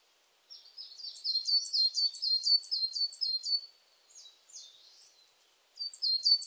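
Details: Coal tit delivering a long, even series of thin, high, falling two-note phrases. The series weakens into scattered notes and then restarts with a few loud phrases at the end.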